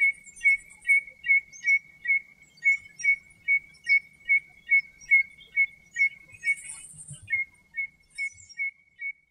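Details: Common redshank in Greek nature giving a steady string of short, piping whistled notes at an even pace of about two per second, continuing for over nine seconds, with faint high chirps in the background.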